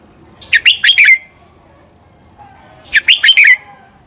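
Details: Red-whiskered bulbul in fighting song, played to train birds: two bright phrases about two seconds apart, each four rapid rising-and-falling whistled notes ending in a drawn-out downslur.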